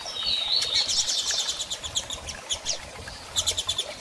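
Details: Excited female double-collared seedeater asking for mating, giving a high thin whistled note followed by rapid clusters of sharp chirps repeated in quick bursts.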